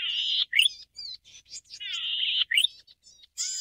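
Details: Golden-headed cisticola (subspecies Cisticola exilis volitans): a drawn-out, insect-like buzz followed by a few sharp, liquid clicking notes, repeated about every two seconds.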